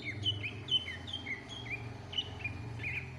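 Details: Greater green leafbird (cucak ijo) singing gacor isian for other birds to learn: a string of clear, short whistled phrases repeated roughly twice a second, each slurring slightly downward, with a rumbling background.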